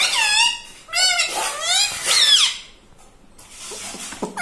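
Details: Talking pet parrot imitating human words indoors: three quick, squeaky, harmonic syllables that curve downward, followed by a harsher rising burst, then near silence with faint taps at the close.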